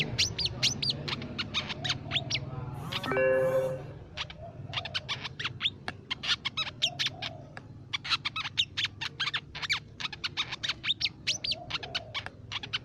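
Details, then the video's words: Crimson sunbird lure recording used for songbird tutoring: rapid bursts of sharp, high chips and thin squeaky notes, closely packed, with a brief lower tonal sound near the start and a soft low hum underneath. "Suara Pikat Burung Sepah Raja & Masteran Sepak Raja"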